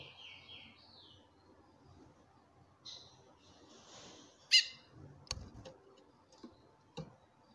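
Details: Female chestnut-bellied seed finch calling to a male: a series of descending whistled notes opens, a soft buzz follows, then one loud harmonic call note near 4.5 seconds, followed by scattered clicks.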